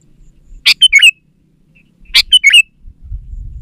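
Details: Sooty-headed bulbul calling as a lure for wild bulbuls and reluctant garden birds. Two short, sharp phrases about one and a half seconds apart. Each starts with a snappy burst, followed by quick bubbly slurred notes. Faint low rumble between them.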